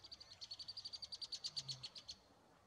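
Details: A female red-winged blackbird at Cranberry Lake on 17 April 2018 gives a fast, high chatter of about twenty sharp, even notes in two seconds, then stops. Faint background hiss.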